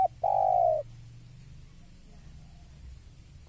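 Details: Spotted dove reacting to a rival gives a short coo then a long, soft, slightly falling coo lasting over half a second; quiet low rumble in the background.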